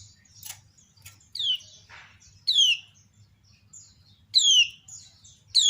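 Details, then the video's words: Female lemon-bellied white-eye (kecial kuning) calling while other kecial answer: sharp, bright descending slurred notes repeated at irregular intervals, with softer high chips and faint twittering between them. "Ciak Betina Burung Kecial Kuning Memancing Bunyi Banyak Kecial lain Nyaut"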